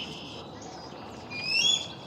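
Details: A captive bald eagle at a bird-of-prey sanctuary in a Quebec wildlife zoo, unable to return to the wild, gives a few thin, high, squealing piping notes near the end, rising over a steady background hiss.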